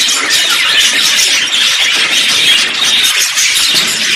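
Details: Mixed recording of budgerigar simple songs, contact calls and courtship songs: a dense, continuous warble of high, scratchy chirps and squeaks from several overlapping birds without pause.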